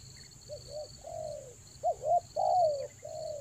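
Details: Spotted dove, lure call for the rainy season in the Toba style. Soft coos build into a loud phrase of two bouncing notes and a long falling coo, with a faint chirp and a steady electronic whine.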